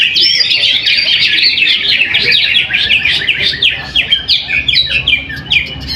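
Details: First-placed caged greater green leafbird at a weekly practice contest in Jatisumber village, Trowulan; a continuous, loud stream of fast high warbles shifting into sharply repeated downward strokes.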